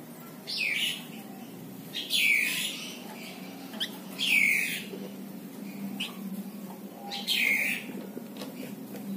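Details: Plain prinia, called flamboyan or wergan jawa, a tame small brown bird prized for its distinctive chattering call as a tutor for songbirds; four loud arched sweeps, each rising then falling, repeat roughly every two seconds, with faint clicks between.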